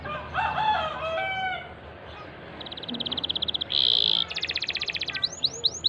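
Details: Canary song used as a training recording to stir a silent canary into singing. Harsh, lower notes come first, then rapid buzzy trills held at a steady high pitch, a dense rolling trill, and a run of quick repeated sweeping notes.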